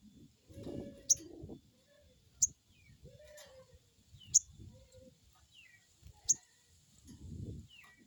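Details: Crecet call of a crested jay (sogon), played as a lure so a freshly caught bird starts calling: four abrupt, harsh, high snaps about two seconds apart over soft twittering and low rustling.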